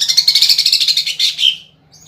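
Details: Rapid, fast-pulsed high rattle from a greater green leafbird, sung with woodpecker (pelatuk bawang) mimicry for songbird contests. It runs about one and a half seconds and fades into a falling note.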